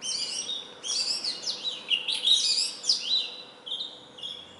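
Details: Song of the Indian robin, or bush robin, a small black and white bird that sings daily at morning and evening near houses; a rapid tumbling run of bright high twittering notes, slowing into short whistles.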